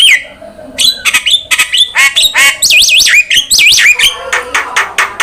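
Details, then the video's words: Javan myna singing for a prompting and training recording: rapid chatter building into loud looping, wavering whistles, then sharp ticking notes, nearly without pause. "PANCINGAN DAN MASTERAN BURUNG JALAK"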